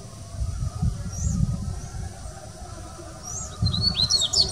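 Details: Dubois's seedeater at the Sao Paulo Botanical Garden, Brazil, 6 January 2019: a few soft, high, curling whistled notes, then a quick burst of sharp high twittering at the very end, over low background rumble.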